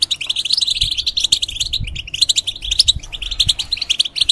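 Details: European goldfinch kept in a cage singing fast, scratchy twitters and bright chirps in near-continuous phrases, with faint low knocks underneath.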